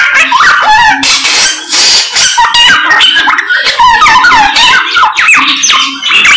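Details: Samyong bird in energetic song: quick runs of rising and falling whistles mixed with scratchy notes and short squeals, packed tightly together and loud throughout.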